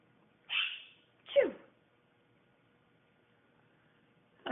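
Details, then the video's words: Pet bird saying 'achoo' like a sneeze: two quick, harsh, descending voiced bursts about a second apart, then silence before another short burst at the end, indoors. "Sneezing Bird says Achoo!!"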